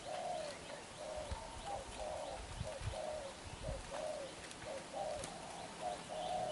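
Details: Young black-eyed spotted dove giving a strong bowing coo. Low, mellow coo notes repeat steadily throughout, mixed with dull low thumps and clicks nearby.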